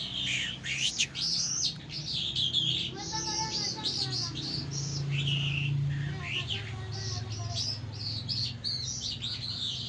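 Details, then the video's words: A lark sings in the Mashadi jal style of Iran and Afghanistan, with high sweeping chirps and warbled phrases over a low background hum and faint lower-pitched sounds partway through. "Mashadi lounda larks irani afghani jal Singing"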